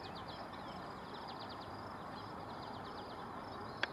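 Eastern Kingbird giving thin, sputtering, high chatters in quick stuttered bursts over steady background hiss, with a sharp click near the end.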